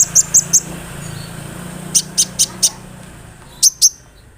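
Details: Sunbird (kolibri ninja) notes played to make other sunbirds respond: sparse very high sharp chips in small groups of two to four, separated by pauses, over a steady low hum.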